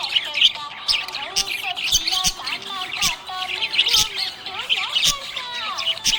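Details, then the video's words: Happy budgerigar chirping: dense, continuous high warbling chatter of quick chirps and squeaky notes, with scattered clicks and a faint steady tone underneath. "Happy budgie chirping sound"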